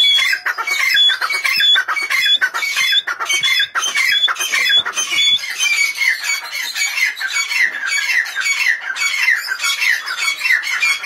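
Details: Grey francolin calling persistently: harsh, high, squawking phrases repeat a little under once a second for the whole stretch. Thin whistled notes are threaded through the loud, ringing series.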